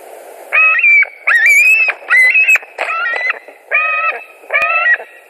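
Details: White-tailed eagle at a nest in Latvia, 29 July 2019 at 20:48, during a visit to the nest: six loud, drawn-out harmonic whining calls, some rising then level, spaced roughly a second apart over a soft background hiss.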